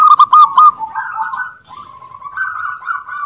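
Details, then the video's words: Local zebra dove with a loud, ringing voice: a burst of quick loud hooked coos opens, then a long trilled, slightly rising rolling coo follows. "Perkutut Lokal Suara Lantang"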